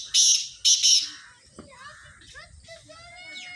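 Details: Black francolin, known locally as kala teetar, giving a loud harsh call: three broadband grating bursts in quick succession, followed by quieter thin whistles and chirps from other birds and faint low background rumble.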